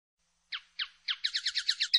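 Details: Common linnet, also named pardillo or pajarel, giving three slurred downward chirps, then a quickening run of twittering notes that ends in a sharp high note.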